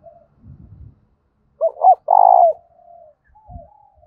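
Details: Spotted dove cooing loudly and resonantly as a fighting challenge: two quick rising-falling notes, then one strong sustained hollow coo fading into a soft trailing note, with faint low thumps before and after.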